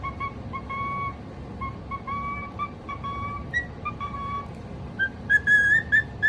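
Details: Pet cockatiel singing: a string of thin, steady whistled notes at two pitches forming a simple tune, ending in louder higher chirps, over a constant background hiss.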